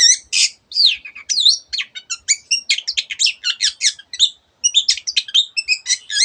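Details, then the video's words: Long-tailed shrike singing energetically, mixing imitated calls of other birds: quick high chirps, slurred whistles and stuttering trills follow one another almost without break, with one short gap near the end. "cendet gacor masteran untuk burung yang susah bunyi banyak varian suara burung lainya"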